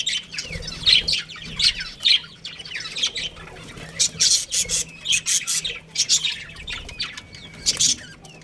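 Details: Budgerigars, a breeding pair among a colony, trading warbling chirps and sharp squawky notes in irregular bursts, several birds calling over one another.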